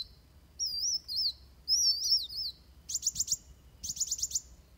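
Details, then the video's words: Fighting song of Van Hasselt's sunbird, a tutor recording for trained birds: two high wavy whistled phrases followed by two tight bursts of rapid, sharp ticking notes. "Suara Kolibri Wulung Tarung Buat Masteran"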